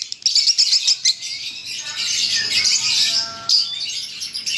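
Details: Lovebird in leher patah konslet song: quick high ticking notes lead into a sustained, shrill, rattling chatter that runs on without pause, ending with a few separate chirps.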